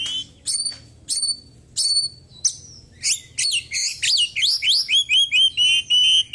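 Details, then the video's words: Oriental magpie-robin, white-breasted Kacer poci after moulting, opening with spaced sharp downslurred whistles, then speeding into a fast run of swooping chirps and repeated short whistled notes about four per second. "KACER GACOR ISIAN BURUNG KECIL PEDES"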